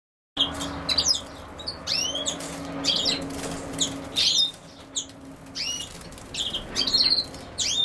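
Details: European goldfinch, linked to common sow-thistle, singing a fast twittering string of liquid, sharply bending notes and short buzzy trills in bursts, with a low steady hum underneath.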